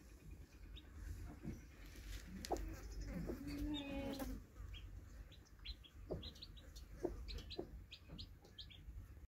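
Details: Newly hatched chicks with their broody hen: sparse high peeps, growing busier toward the end, plus a few low clucks and a short wavering note midway, over steady low-pitched background noise.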